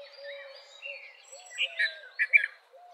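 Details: Red-vented bulbul calling with a few loud, liquid, bubbly notes in two quick pairs near the end, preceded by softer whistles and low background notes from other birds.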